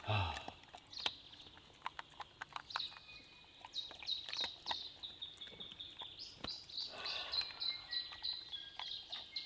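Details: Two tuis calling back and forth at a campsite in New Zealand rain forest in fine weather: dense runs of high whistled and chiming notes mixed with sharp clicks, a brief low sound at the start, steady background hiss.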